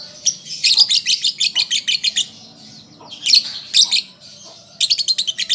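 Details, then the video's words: Young lovebird in song practice: a rapid run of about eleven sharp chirps, a pause, two loud squeaky bursts, then another quick series of clipped high chirps. "Pancingan Lovebird Paud Belajar Bunyi Ampuh Langsung Nyaut"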